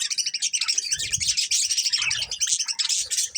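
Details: Budgies, colourful pet birds, chirping: dense continuous high twittering and chattering warble with squeaky whistled notes, plus faint low rustling.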